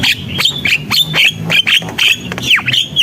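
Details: Javan myna in vigorous song: a dense run of harsh squawks mixed with sweeping whistles that drop sharply in pitch, delivered in quick succession almost without pause.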